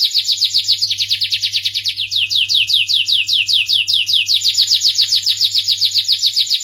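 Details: Starblue canary in continuous, melodious song: loud rolling trills of rapid, swooping high notes repeated several times a second with steady rhythm, carrying on without pause, over a faint low hum.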